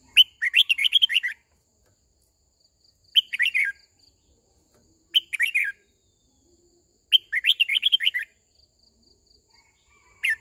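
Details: Red-whiskered bulbul singing as a decoy to gather the flock and train young birds: four bursts of rich, chattering warbles, long and short, spaced about two seconds apart, with a faint high whistle between.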